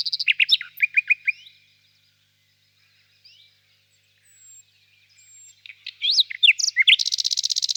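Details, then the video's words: Nightingale singing: a run of separate rising, slurred notes, a long pause with faint soft sounds, then sharp upward sweeps ending in a very fast, even, buzzy high trill. "пение соловья"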